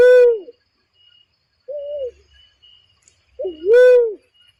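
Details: Barred cuckoo-dove lure call for bird trapping, deep hollow coos: the tail of one call, a brief mid-pitched note, then a two-part 'wu-WOOO' with a rich, loud, rounded second note.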